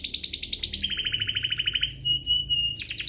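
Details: Canary singing to stimulate other canaries: a fast high trill sliding into a lower rolling trill, a few thin held whistles, then quick high notes return.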